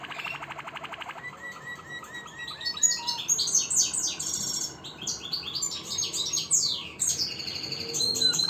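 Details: Singing Harz Roller canary: a brief low pulsed roll, then a series of quick separate chirps and sweeping high notes, varied and irregular over eight seconds.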